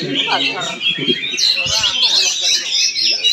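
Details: Oriental magpie-robin showing off its song in Palangkaraya, Central Kalimantan: a dense, rapid stream of bright, varied whistles and chattering notes held high and continuous throughout, with low human voices murmuring underneath.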